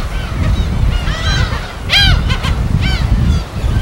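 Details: On an uninhabited island in Korea's West Sea, gulls call at their colony: a few scattered arched cries, then one loud close call near the middle, over surf and wind noise.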